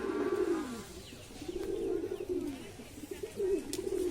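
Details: Domestic pigeon, a hungry stray Phulshira Giribaz feeding on rice on a roof. It gives low, throaty cooing in rolling, slightly wavering phrases about a second long, repeated four times with short pauses, over quiet background noise.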